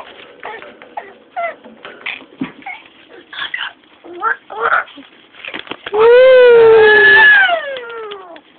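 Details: Female pet Amazon parrot doing imitations of sirens, brakes, dogs and monsters: soft, scattered chattering notes, then a loud, drawn-out harmonic wail that rises slightly and sinks away over two seconds.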